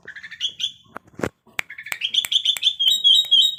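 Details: Sooty-headed bulbul in breeding condition, singing short chirped and whistled notes that rise into a bright, steady run of rapid notes, with sharp clicks in between.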